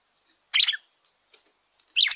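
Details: Two short rich chirpy phrases of a red-cowled cardinal, played to stimulate a caged bird, about one and a half seconds apart.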